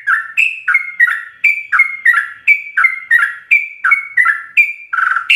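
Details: Continuous 'ropel' singing from a sooty-headed bulbul, recorded for teaching captive birds: paired liquid notes, a clear higher whistle followed by a lower burry slur, repeated in a steady bouncing rhythm about once per second.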